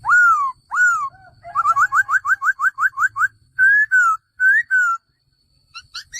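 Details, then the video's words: Male laughingthrush with two loud arched whistles, a fast run of about ten short upslurred notes, then two drawn-out wavering whistles and soft trailing notes. "#เสียงนกกระรางตัวผู้ #ສຽງນົກຖົ່ວດຳໂຕຜູ້"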